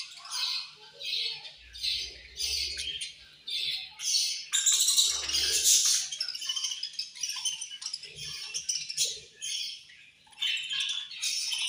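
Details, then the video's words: Several caged budgerigars chirping while eating, said to be angry; dense overlapping high chirps and harsh squawks in bursts, with faint low thumps of activity in the cage. "Budgies Eating And Angry Chirping Sounds"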